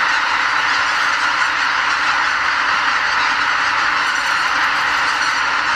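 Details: Pre-dawn roost departure of about 80,000 greater white-fronted geese stopping over at Lake Miyajimanuma wetland, Hokkaido, on their spring return north; constant layered honking from the vast flock with no pauses, a roaring, even chorus throughout.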